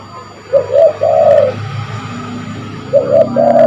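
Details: Spotted dove cooing, a call used to lure birds: two low, mellow phrases, each of two quick notes and then a long rolling coo, about two and a half seconds apart, over steady low hum.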